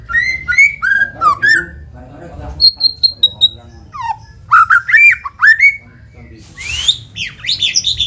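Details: Varied white-rumped shama song played to spur other shamas into singing: quick whistled couplets, a descending series of high pure notes, then rising slurs and a final harsh, scratchy flourish.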